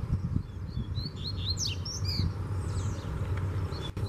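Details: Wild Double-collared seedeater, loose and aggressively confronting a caged bird, delivers a fast run of sharp, high whistled notes and downward slurs early on, then fainter notes, with constant low-pitched background rumble.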